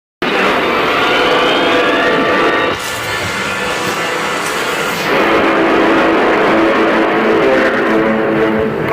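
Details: Loud strummed guitar music fills the recording throughout, with no animal voice heard.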